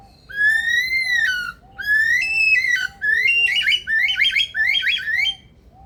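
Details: Male Superb Lyrebird at Adelaide Zoo imitating an alarm-like sound: two long rising whistles with strong overtones, then quick warbling, zigzag notes repeated about twice a second, loud and harmonic, with a faint steady beeping behind.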